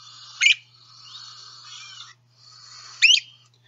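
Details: Great Crested Flycatcher reference recording: two loud, clear, rising, scream-like "weep" or "creep" calls about two and a half seconds apart, with soft background birdsong between them.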